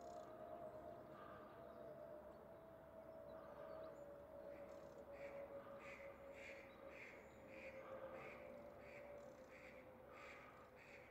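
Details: Rose-ringed parakeets mating near their nest in February, the male feeding the female. A series of shrill, harsh calls repeated roughly every half second in the second half, over a steady background hum and distant lower notes.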